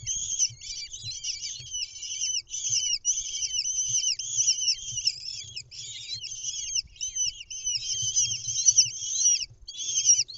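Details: Lesser kestrels at a nest watched by camera in Israel on 10 May 2021 as the mother brings a mouse to the nest: continuous, dense high-pitched chittering with quick downward-slurred squealing notes, over a faint low rumble.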